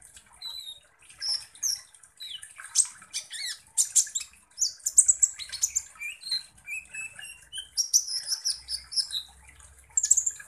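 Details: Sunbird called kolibri ninja, its song used to provoke other birds: a long, busy stream of thin high whistles, buzzy chatter and quick downslurred notes, with faint low hum in places.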